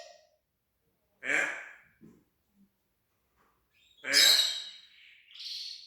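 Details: Pet parrot talking and mimicking sound effects: two loud, harsh, noisy bursts about three seconds apart, the second one brighter and ending in a high, tonal, squealing note, with near silence between them.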